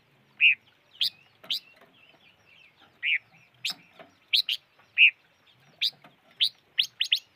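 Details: Five-coloured bird calling with a mix of short rising chirps and rounder, buzzier notes, some doubled, repeated irregularly for seven seconds in a quiet setting.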